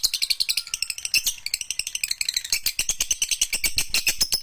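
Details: Lovebird singing a fast, unbroken chatter of harsh, buzzy high-pitched notes, about three or four per second, with squeaky whistles mixed in. Pace and loudness stay steady throughout.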